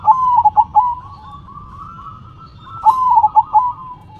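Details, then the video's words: Zebra dove in manggung song while shaking its head: two clipped, pulsing coo phrases at the start and near the end, joined by a continuous hum of distant cooing doves. "Perkutut BERDZIKIR, Manggung nya Geleng -geleng Kepala"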